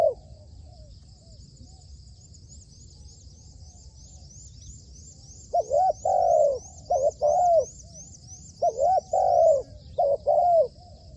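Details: Spotted dove kept as a trained trapping decoy, cooing in two bursts after several quiet seconds, each a run of short looping hoots closed by a sustained note. Thin high twittering continues throughout.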